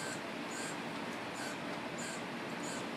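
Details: Baby woodpeckers being fed by their parents, the young just starting to show a little red on their heads; faint high, thin chirps repeat about every half second over a steady background hiss.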